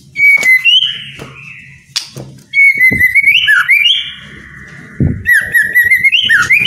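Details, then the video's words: White-rumped shama song played to spur lazy captive birds into singing: clear whistled phrases near mid-high pitch with rising slurs and trills, bursts separated by short pauses, a low hum underneath. "DENGERIN SEBENTAR,,EPEKTIF, BIKIN ,//MURAI MALES BUNYI..JADI GACOR PLONG"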